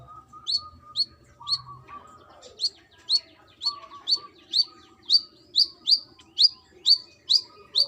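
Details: Female brown-throated sunbird calling to a male: a lively run of about fourteen piercing, high chirps, each a short rising-then-falling stroke, paced roughly twice per second, with a low background tone.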